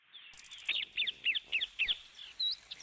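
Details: Parrots calling: a rapid series of harsh chattering notes, about eight bursts in two seconds, followed by a single higher squeak, with steady high background noise.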